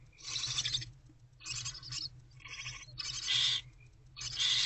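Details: Barn owl owlets in a nest box before dawn on 2/11/24, mother away on a break: loud, harsh, breathy hisses, five bursts of about half a second to a second each, separated by short gaps, with a faint low hum beneath.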